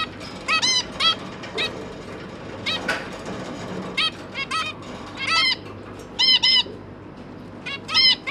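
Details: Zebra finch pair with three newly hatched juvenile babies, parents busy feeding them, 1 October 2022; short nasal harmonic calls given singly or in quick pairs, spaced irregularly through the recording, with faint room hiss.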